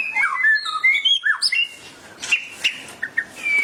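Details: White-rumped shama singing energetically after hearing a tutor recording: rich whistled phrases sliding between low and high notes, short trills and sharp chirps, with brief quiet gaps.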